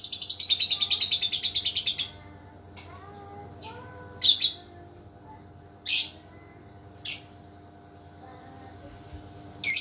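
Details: Lovebird, healthy again after a snot illness, being tested for its eager calling. It opens with a rapid two-second run of about sixteen shrill pulses, then gives single sharp high chirps every second or so. A constant low hum runs underneath.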